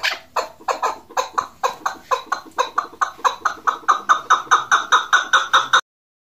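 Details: Female chukar partridge giving a rhythmic series of clucking notes, about two or three per second, starting rough and becoming clearer and more tonal toward the end, then stopping abruptly.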